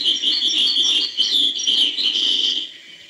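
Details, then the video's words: European goldfinch in hbal-style song, a continuous stream of fast, high, liquid twitters and chirps that fades toward the end. "chant chardonneret hbal"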